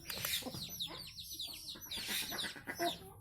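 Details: Nias hill myna song used as a tutor recording for training cage birds: a varied run of slurred, bending whistles and rougher notes in two bursts separated by a short pause.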